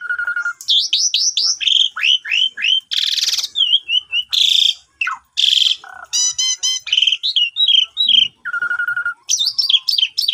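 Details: Long energetic song of a Javan pied starling, recorded with a vivo phone as a morning lure for birds that will not sing. A flat rattling trill, strings of slurred whistles, harsh rasps and nasal notes alternate, phrases recurring.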